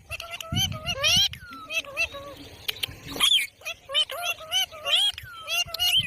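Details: Parrot talking in quick, bending tonal syllables and rising slurs, many stacked bright overtones, with dense chattering phrases packed close together and faint low background rumble.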